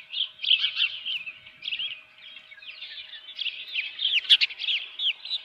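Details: Osprey at the nest with a live fish, early morning of 24 June 2018: a quick, steady series of high whistled chirps, each note arched and slurred, about three per second, with little background noise.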